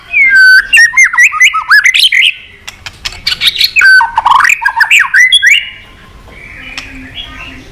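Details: White-rumped shama, a bird kept to sing and provoke fighting, pouring out a long varied song of rich whistles, sweeping slurs and rapid chattering notes, pausing after about five seconds before softer quieter phrases resume.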